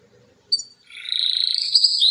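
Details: Domestic canary singing: after a short sharp note comes a fast, dense, buzzy trill that rises slightly in pitch and holds steady, ending on a brighter whistled phrase.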